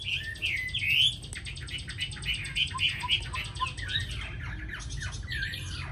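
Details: A domesticated Chinese hwamei kept in Hanoi, noted as an eager singer with a very fine voice, pours out a rapid jumble of clear whistles, chirps and downslurred notes over steady low room hum.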